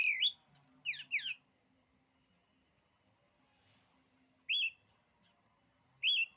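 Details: Oriental magpie-robin singing, its song said to cow rival magpie-robins: a few sweeping scratchy notes, then single clear whistled phrases spaced over a second apart, one high and thin, others fuller and slurred downward.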